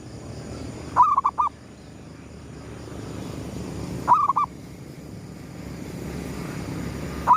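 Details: Zebra dove of the gedong mengo kind, a lure bird cooing at sunrise: stuttering phrases of several mid-pitched coos repeated roughly every three seconds, a third phrase starting at the end, with low background hiss.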